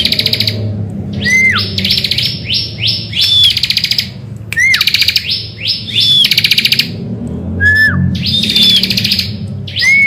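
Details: Morning lure song of a bar-winged prinia: repeated phrases of rising sweeps and short hooked whistles run into buzzy pulsed trills, recurring roughly every three seconds.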